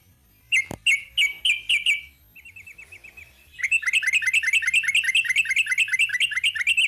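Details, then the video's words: Sooty-headed bulbul in long 'ropel' song: five clear whistled notes with a sharp click, a soft quick trill, then a long, fast, even run of chirping notes about three per second. "Kicau TRUCUK ROPEL PANJANG."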